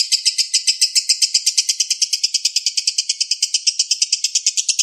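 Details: Young lovebird master recording: quick rhythmic chirps, harsh and high-pitched, rolling on steadily, rising slightly in pitch toward the end.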